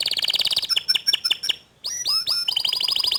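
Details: Canary, a young bird singing back after hearing another canary: rapid buzzy trills, a run of down-slurred whistled notes, a brief pause, then rising chirps and another quick rolling trill.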